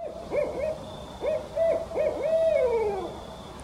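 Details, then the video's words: A Barred Owl (Strix varia) perched at eye level in woods with dog-walkers passing gives its "who cooks for you, who cooks for you all" hooting: a series of deep throaty hoots, some swooping up, ending in a long downward-sliding hoot. "Barred Owl (Strix varia) Hooting"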